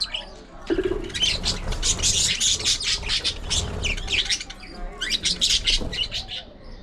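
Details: Budgerigars in an aviary colony, many birds chirping at once: dense, rapid, high scratchy chatter and squawks that start after a brief quieter moment and run almost without pause.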